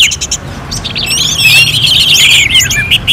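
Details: Orange-headed thrush song presented like a songbird-contest simulation: a few short chips, then a loud, continuous run of warbled and slurred whistles with sweeping high notes. A low hum sits underneath.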